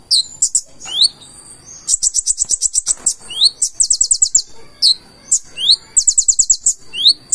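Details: Purple-throated sunbird with a full-trained song of very high notes: rising thin whistles and long rapid strings of clicking ticks, up to about ten in a row, repeated in quick phrases.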